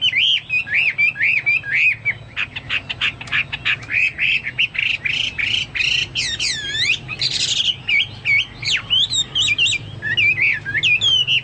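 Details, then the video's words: Chinese hwamei in energetic, varied song compared to the cucak Papua and cucak mas. Harsh squawky notes mix with sweet looping whistles and fast trills, with one phrase after another and no gaps. "burung hoa mi seperti cucak Papua atau cucak mas gacor"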